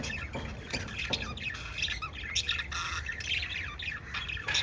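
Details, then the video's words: Pet budgerigars chirping together, a dense overlapping chatter of harsh squawks and short high chirps with steady background hiss and some low rumble underneath. "Little LOVE Birds Chirping Sound PARROT Family video"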